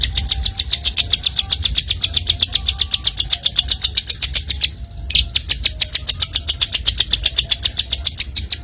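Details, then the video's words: Bar-winged prinia recorded as a master song for training other songbirds: long, regular volleys of piercing high chips, about four per second, with a short break midway, over low vehicle noise. "Masteran Burung Ciblek Super Gacor"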